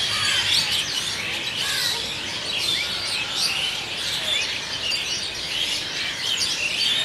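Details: Evening pre-roost gathering of Asian Pied Starlings at Kolkata, India, filmed with a Nikon D3200: a wall of shrill overlapping chirps and short whistled notes from many birds, continuous and swelling slightly in waves.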